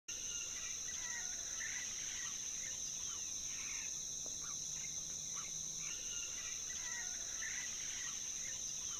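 Buff-throated Saltator giving short whistled phrases, repeated every second or two, over a loud, steady high insect drone.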